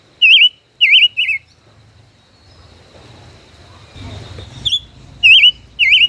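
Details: Caged five-colored bird, a decoy kept in its cage for over a year, dueling in song; bright, twisting whistled notes come in quick groups of three, separated by a gap with soft low rumbling.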